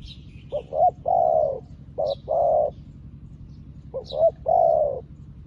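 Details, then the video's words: Newly kept spotted dove used as a decoy, calling wild doves like an experienced decoy bird: three phrases, each two short clipped notes then a long drawn-out coo, about two seconds apart, with faint high chirps of other birds. "លលកថ្មីមែន តែធ្វើហៅព្រៃដូចធ្នាក់ចាស់"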